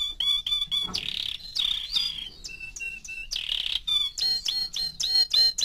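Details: Canary of four months alternating pure whistled notes with short buzzy bursts, ending in a run of evenly spaced chirps.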